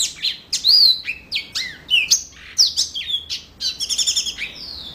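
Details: Yellow-fronted canary in full, lively song: rapid high whistled notes, sweeping slurs and bright trills, with short pauses between phrases and a quick trilled run near the end.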